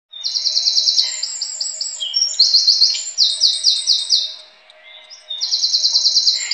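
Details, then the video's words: A wren pours out loud, high, rapid trills in fast bursts, with a brief quieter pause before the rattling song resumes. "Wren Sound"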